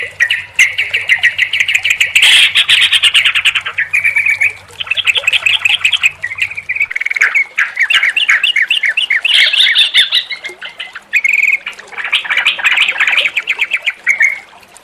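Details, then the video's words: Sooty-headed bulbul sounds combined as a relaxing lure for a bird that has gone quiet: varied phrases of fast trilled chatter alternating with bright whistled notes, some higher squeaky bursts, and a low hum in the first half. "SUARA TRUCUKAN KOMBINASI YANG JITU UNTUK TERAPI TRUCUK MACET BUNYI DAN STRESS, PANCINGAN RELAKSASI."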